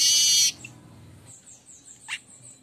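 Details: Streaked weaver singing vigorously in the morning: a loud harsh buzzing burst lasting half a second, then faint high thin notes and a single sharp downward chip.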